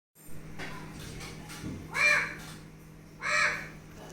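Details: A talking pet Alexandrine parakeet imitating a crow gives two harsh, crow-like caws about a second and a half apart, over a low steady hum and faint background noise.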